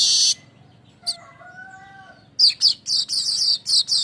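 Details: Streaked weaver lure song: a brief loud buzz, soft low whistled tones, then a rapid sequence of harsh chattering notes that rolls into a steady buzzy trill.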